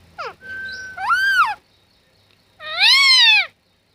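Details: Talking parrot: a quick descending note and a held whistle lead into an arched squawk, followed after a pause by a longer, loud, harmonic squawk.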